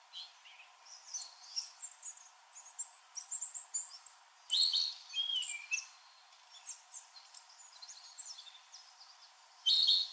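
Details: Male narcissus flycatcher singing in a fresh green forest at the Tōbai nature study forest near Shunkunitai, Nemuro, Hokkaido, Japan, in early June. Light, flute-like whistled phrases stand out from a busy chorus of other summer birds.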